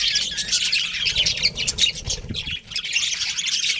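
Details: Budgies keep up a steady, dense chatter of raspy chirps and squeaky twitters, with no real pauses across the short stretch.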